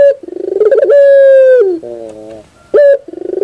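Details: Sound-therapy song of a puter dove: a rolling pulsed coo building into a long level note that falls away, lower buzzy coos, then a short sharp coo and another rolling phrase.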